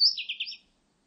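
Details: A brief fragment of Blue-and-white flycatcher song, 2020: a thin high whistle above a rapid series of three or four lower burry notes, lasting about half a second.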